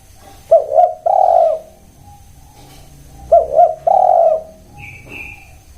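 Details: Spotted dove cooing: two low, mellow phrases, each a pair of short coos followed by a longer drawn-out coo, about three seconds apart, with a faint high whistle from another bird near the end.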